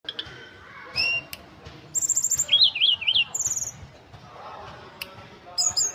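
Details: Ashy tailorbird song: high, varied phrases of thin whistles and a rapid rising-falling warbled trill, with sharp clicks between bursts over low background rumble.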